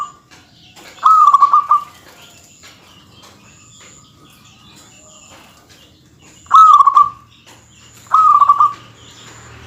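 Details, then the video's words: Local zebra dove singing vigorously with a dense voice meant to provoke rivals: three mid-pitched cooing phrases, each a quick stuttered run of notes rolling into a short held coo, spaced irregularly, with a faint steady high whine behind. "suara kutut yang bikin emosi lawan perkutut lokal gacor suara padat menggoda lawan"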